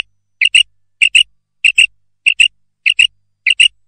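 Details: A female common quail in a recording used as a hunting lure gives soft, high paired notes, a quick double 'pit-pit' like a two-syllable 'bri-bit', repeated about every 0.6 seconds, with nothing else in the background.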